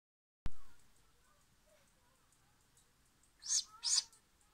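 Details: Young great grey owl making baby noises. After a sharp click near the start and a quiet stretch, two loud, breathy, hissing bursts follow close together about half a second apart.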